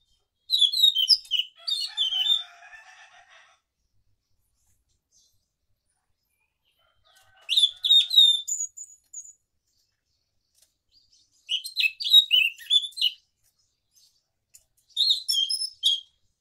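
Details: Morning ngeroll song of a scaly thrush: four bursts of rapid, high chirping and warbled notes mixed with whistles, each lasting one to three seconds, separated by long silent gaps.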